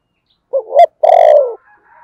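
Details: Spotted dove gives one phrase of a low wavering double coo and a sustained falling coo, followed by faint chirps in the background.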